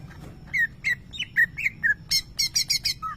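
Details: Greater green leafbird, a contest-winning bird, imitating lovebird calls: a string of short downslurred whistles, then a fast series of shrill, high squeaky notes roughly four per second.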